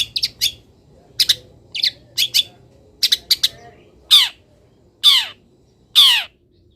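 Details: Caged long-tailed shrike singing after misting in morning sunlight; clusters of quick high chirps followed by three loud harsh descending rasps about a second apart.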